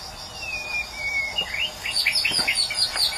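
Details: A Medan-type white-rumped shama sings a clear, slightly falling whistle, then a rush of quick high chirps and upslurred notes, with a faint hiss behind.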